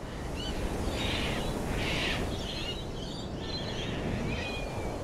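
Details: Laughing kookaburra giving two loud raspy cackles followed by quieter, wavering chuckling notes, with continuous low-pitched background noise.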